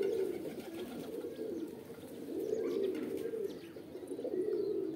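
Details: Low, rolling coos from several pigeons at once blend into a continuous throaty hum that swells and fades, with a few faint ticks and chirps overhead.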